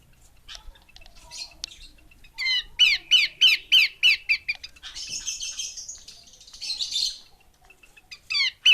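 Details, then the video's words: Harsh repeated notes from a female Horsfield's babbler, a steady run of about eight downslurred chatters, followed by scratchy buzzing bursts and a final sharp note. "Burung Pelanduk Semak Betina"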